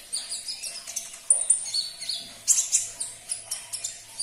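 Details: Sunbird song meant to prompt a caged sunbird to answer: a rapid run of piercing, high, twittering notes with bright squeaky accents, delivered in quick clusters.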